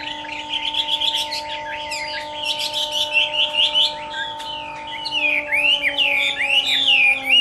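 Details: Chinese hwamei, kept captive, singing a fighting song at summer midday: chattering warbles building into loud, looping whistles near the end, with a constant low hum behind.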